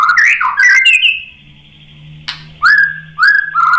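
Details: White-rumped shama song played to stir a bird into answering: a burst of warbled whistles, a long level tone with a faint low hum beneath, then short clear upslurred whistles.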